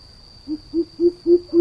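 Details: Short run of five hollow, low-pitched hoots from a greater coucal, each a little louder than the last, with a constant faint high tone in the background.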